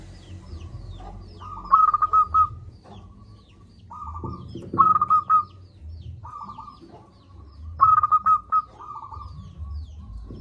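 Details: Zebra dove, a local bird singing powerfully as a lure for lazy doves: loud staccato cooing phrases of rapid clipped notes, each followed by a softer trilled phrase, repeating about every three seconds, with low background hum.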